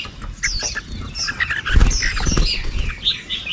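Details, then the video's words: Red-whiskered bulbuls of a flock bringing food to their chicks in breeding season; sharp, squeaky high chirps overlap in quick bursts, with wing flaps and a low rumbling background. "Đàn Chim Chào Mào Về Cắp Mồi Nuôi Con Mùa Sinh Sản"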